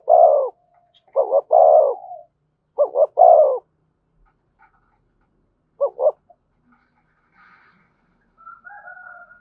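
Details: Spotted dove cooing in the thổ voice with thúc and kèm: three rapid phrases of two short notes and a longer coo, one more brief pair, then near silence with faint, higher notes at the end.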